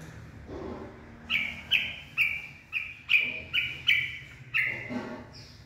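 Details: Purebred White-rumped shama singing in the late afternoon on 18 February 2024: a run of about eight clear, ringing whistled notes, each with a sharp start, about two a second over a low steady hum.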